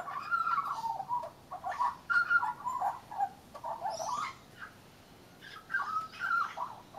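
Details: Leucistic young Australian magpie, brown and white, singing on a railing: continuous mellow warbling with fluted, wavering notes and occasional higher squeaky elements, pausing briefly near the end.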